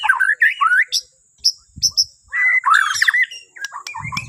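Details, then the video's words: White-rumped shama from Borneo, sung in the morning to stir other birds: short warbled phrases broken by pauses, thin high notes, then a louder chattering burst, with soft low thumps. "Kicauan Murai Batu Borneo❗Cocok Buat Pancingan Dipagi Hari"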